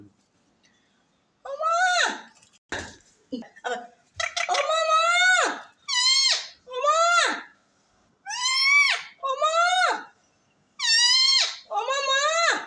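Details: A parrot chatters face to face with its owner: some clicks and short scratchy bursts, then about ten strong, voice-like phrases, frequently paired, each swooping downward at the end.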